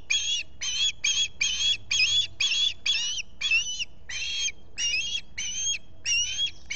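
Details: Osprey calling at a nest in the Finger Lakes region, US, on a July 2021 morning with a visitor at the nest; about fourteen shrill, whistled squeals, steadily repeated, some notes rising at their ends.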